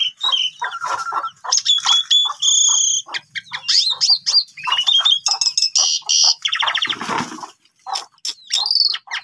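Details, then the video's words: Asian pied starling song used to trigger stalled starlings to sing: a busy jumble of sharp chirps, clear whistled notes, nasal buzzes and a brief harsh rasp near the end, delivered almost without pause. "Coba Gunakan Pancingan Ini ! Semua Jalak Suren Yang Lagi Pundung Macet Bunyi Seketika Langsung Emosi"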